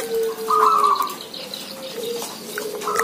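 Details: Many zebra doves vocalise: one bright, rapid trilled coo phrase, then quieter low whistles and the start of another trill near the end.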